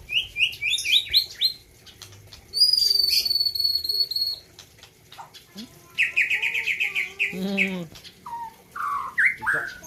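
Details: Competition white-rumped shama from Gayo, Aceh, in a 2021 contest, pouring out a varied melodious song: rapid stepped whistles, long high buzzy notes, a fast rattling trill and a few slurred whistles.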